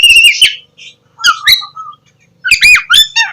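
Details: Oriental magpie-robin bursts of song to lure lazy birds into morning singing: a squealing whistled phrase, pause, chips and a low whistled slur, then another loud squeaky, warbling phrase.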